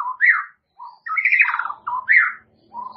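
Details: Caged white-rumped shama, murai batu, singing rich fluting phrases that swoop up and down between low and mid pitch, separated by brief pauses, in a small indoor space.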